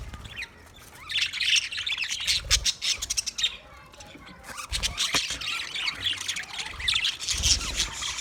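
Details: A flock of budgerigars chirps in bursts of rapid, scratchy twittering and squawks that swell and fade, with soft low thuds heard now and then.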